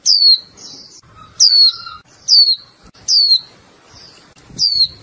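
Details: A female warbling white-eye gives five high, thin, downslurred 'chiu' notes about every one and a half seconds to call a male and stimulate him to sing; a faint lower whistle is also heard.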